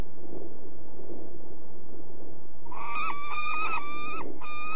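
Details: Peregrine falcon recorded at De Mortel in the Netherlands, breaking into a sequence of strident, slightly rising harsh notes after a few seconds of quiet, with a persistent low rumble underneath.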